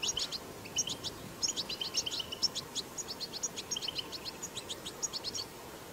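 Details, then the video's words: Wild goldfinch 'batbata' twitter: a lively run of fast, high, clipped chirps and jingling notes at a regular quick pace for six seconds, soft background hiss underneath. "أقوى بتبتة حسون"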